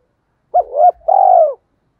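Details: Brief spotted dove phrase in the 'thổ' voice, part of a challenge call to incite fighting mixed with calling song: a double-humped hoot followed by a long, trilling, slowly falling coo.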